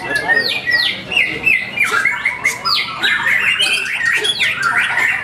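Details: White-rumped shama (murai batu) singing at a practice bird-singing contest in Blue Arena, North Bekasi, Indonesia; loud clear whistles sweeping up and down in quick repeated phrases, with other birds calling and people talking in the background.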